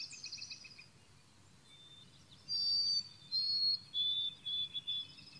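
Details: A White-throated Sparrow in the boreal forest of Maine sings clear, pure whistles: a long opening note, then a higher note and a run of short repeated notes, after a faint hiss from other birds or insects.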